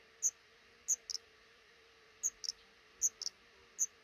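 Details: Black redstart pair's nest under a roof over a front door, five chicks hatching; short piercing high notes, often a single note followed by a quick double, repeating roughly every second over a low steady hum.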